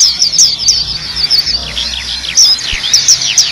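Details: Black-capped white-eye in a song for training caged birds: high thin twitter of sharp downslurred notes, bursts of rapid chips, fairly dense and continuous.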